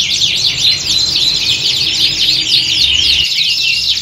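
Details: Several canaries singing in a contest-like setting used as training for competition birds; quick high trills and looping whistled phrases, densely layered, with the low background hum cutting out near the end.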